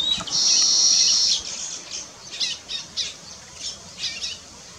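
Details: Weaver bird during nest building, opening with a long, harsh sizzling buzz, then short, high, scattered chirps spaced about half a second apart.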